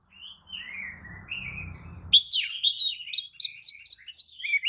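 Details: Oriental magpie-robin lure song (kicau pancingan) used to provoke other kacer into answering and opening their tails; soft descending whistles over low rumble, then loud rapid chattering notes repeated about twice a second.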